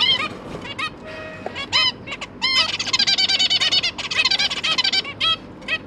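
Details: Zebra finches, parents feeding their three newly hatched juveniles, recorded 1 October 2022: scattered nasal beeping calls, then a long rapid burst of repeated high chattering notes in the middle, with more single calls at the end.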